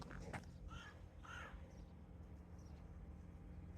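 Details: Crow at La Trinité-sur-Mer, Brittany, on a calm morning by the coast path with gulls faintly audible, giving two harsh, nasal caws about half a second apart over a steady low rumble of wind or distant engines.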